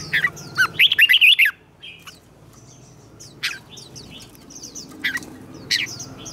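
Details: Red-whiskered bulbul in competitive singing, used for training: one dense warbling burst near the start, then only faint, scattered chirps over a low background hum.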